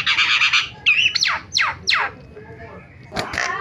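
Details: Starling lure sound for stirring other starlings to call: a buzzy harsh note, then three sweeping downslurred whistles, a pause and a sharp burst.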